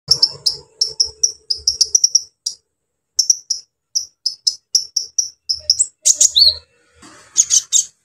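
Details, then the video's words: Brown-throated sunbird (kolibri ninja) singing energetically, used to stir up the emotions of young sunbirds in training: rapid runs of short, sharp, high chirps, a pause near three seconds, then renewed clipped notes and a few upslurred squeaky twitters. "KOLIBRI NINJA GACOR BONGKAR ISIAN KASAR BUAT MENAIKAN EMOSI KONIN BAHAN"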